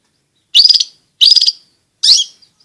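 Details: Long-tailed shrike giving three harsh, scratchy bursts under a second apart, from a recording meant to coax reluctant shrikes into song and to train young birds.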